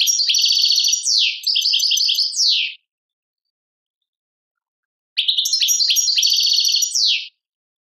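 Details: Algerian goldfinch in Tadmait-style song: a fast, tinkling phrase of chattering notes and trills that ends in a sliding whistle, then a pause and a second, shorter burst of the same. No background noise.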